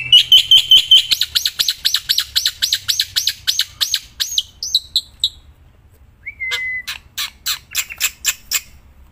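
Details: Black-winged myna singing outdoors, loud and nonstop: a fast string of ringing, arched whistles for about 4 seconds, a pause, one long level whistle, then sharp clicking notes.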